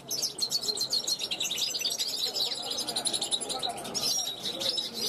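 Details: Young 2021 European goldfinch on a balcony, calling out to wild goldfinches passing by; lively high twittering with sharp metallic chirps and rapid trills, loudness rising and falling in short bursts.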